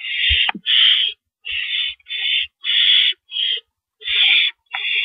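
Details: Night-time owl nest on April 4, 2012, around rabbit prey deliveries: uneven series of harsh, breathy screeches, one with a sharp downward sweep near the start, separated by irregular pauses and light knocks.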